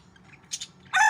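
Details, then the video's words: A rooster's crow begins loud and harsh, a strained, rich note cut off after its opening, following a brief rustling scrape. "Rooster Crowing Sound Effect | Murgay Ki Awaz"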